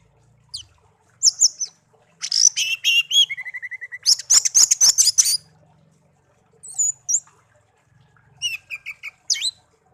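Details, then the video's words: Caged songbird kept as a pet for a year after being raised from a chick found in a garden sings a lively medley of high whistles and a level whistled phrase. Fast chattering runs of clicks and scattered twitters follow with short pauses. "burung kicau peliharaan"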